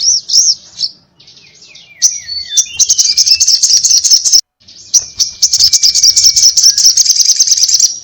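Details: Sogon, or little spiderhunter, in fierce 'ngobra' fighting chatter: a short shrill burst, a run of falling whistled slurs, then long stretches of rapid, rattling high notes broken by one brief gap.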